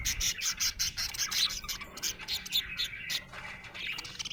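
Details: Budgerigar chirping happily with quick pulsed chirps and harsher squawky warbles, steady rapid rhythm throughout.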